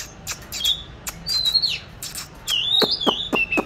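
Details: Caged oriental magpie-robin, kept since 29 July 2020 and recorded 22 March 2021, hung in a chosen spot to train its singing; sparse clear whistled notes, some sliding downward, between sharp clicking ticks.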